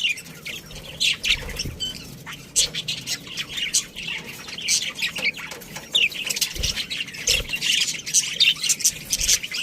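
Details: Budgerigars in a colony with a breeding pair, busy high chattering and squawking, overlapping calls from many birds almost without pause, a few low knocks in between.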